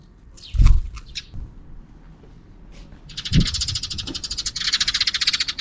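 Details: Afternoon sparrows near a camera: two dull low thumps early on, then a fast, dense run of bright chattering notes that builds and carries on to the end.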